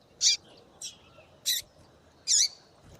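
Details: Female double-collared seedeater calling to make the male sing: four short raspy high chips about half a second to a second apart, the last longer and curving downward, over low background noise.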